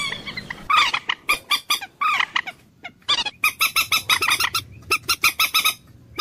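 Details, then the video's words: Common moorhen producing rapid, grating clucks in tight runs, a few louder squawking notes first, then steady series of short harsh pulses. "ডুংকোর পাখির অরিজিনাল ডাক / ডুংখোর পাখির ডাক / জল মুরগী পাখির ডাক / Common Moorhen bird call"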